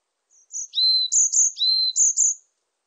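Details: Varied tit song: high, thin squeaky notes alternating with lower, steady drawn-out whistles, about three phrases in a little over two seconds, with a clean, quiet background.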